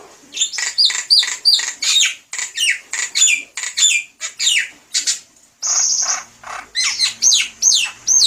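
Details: Javan myna singing continuously, used as a lure: rapid rhythmic squawks and slurred whistles in quick bursts, a long harsh hissing note midway, then more loud twisting phrases.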